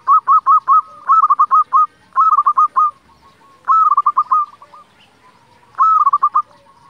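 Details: Zebra dove of local stock, a frequent singer, used to provoke other zebra doves to sing; five loud stuttered coo phrases, each a brief held note dissolving into fast staccato beats, with faint cooing in the gaps.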